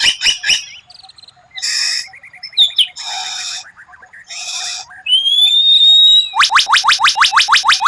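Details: White-rumped shama delivering a rare 'tembakan' song that impresses rivals: short rattles and buzzy bursts, a quick trill, long high whistled glides, then a rapid series of loud, sharp downward-sweeping notes repeated about three times per second.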